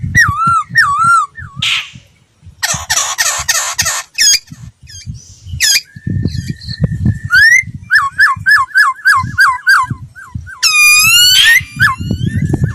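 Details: Laughingthrush voice-training lure song, long and varied: wavering whistles, a rapid chattering trill, a long steady whistle, then runs of quick hooked notes and a sweeping upslurred phrase, with low rumbling noise beneath.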